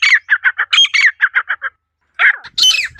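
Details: Female partridge giving a natural call: a quick series of short harsh chattering notes, then a brief gap and a few louder squawks.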